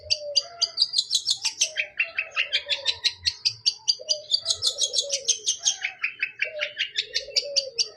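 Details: Cendet, the long-tailed shrike, sings a rich fill-in song of quick repeated chirps rising and falling in waves. Low hooting cooing sounds run beneath it.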